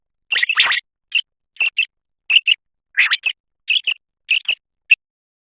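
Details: Common quail (batair) song: short, crisp paired notes spaced about half a second apart, each burst sharp and high-pitched, with clean silence between phrases.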